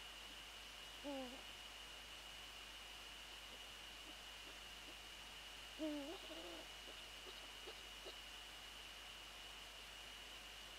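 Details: At night close to the nest, 13 January 2014, Eurasian eagle-owl during a prey transfer: two short, wavering tonal calls about five seconds apart, with faint clicks between and a constant hiss.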